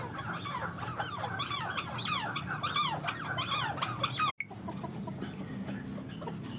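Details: Arabian partridge calling, recorded on 3 January: a run of hoarse, arched notes repeated about once a second for four seconds, a brief dropout, then fainter calls over a steady low background rumble.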